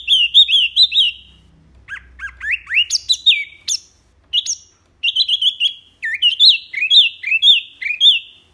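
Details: Wambi song with rapid-fire phrases, a clear recording used to train caged songbirds: bursts of sharp, high, upslurred whistled notes in quick runs, separated by brief pauses, with a faint low hum beneath.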